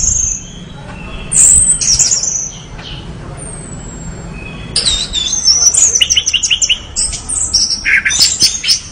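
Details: Orange-headed thrush giving thin high whistles, then after a quiet spell a busy stream of sharp chirps, rapid trills and squeaky flourishes.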